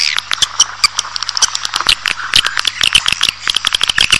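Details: Swiftlet calling meant to lure a colony indoors: busy stream of tiny clicks mixed with thin high squeaks and chirps, steady and chattering throughout.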